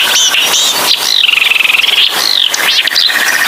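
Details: Small songbird in full song, loud continuous twittering with rapid chattering trills and sweeping whistled notes, a fast rattling stretch in the middle, over a noisy background.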